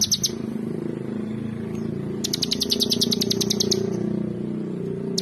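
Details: Bar-winged prinia singing vigorously: a brief high note burst at the start, then a dense run of sharp, high repeated chips lasting about a second and a half over a steady low background hum.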